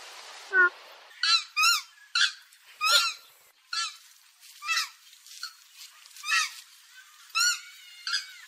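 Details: Purple swamphen call used as a lure for bird trapping in India: loud, harsh, nasal squawks with stacked bright harmonics, repeated roughly every second in an uneven series, opening with one shorter, lower note.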